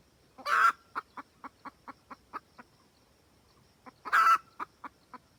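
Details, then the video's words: Hen of the red junglefowl giving her cackling call to summon a rooster: a harsh loud squawk, a string of quick clucks fading out, a brief pause, then another squawk with more clucks. "Gà mái rừng cực tác gọi trống."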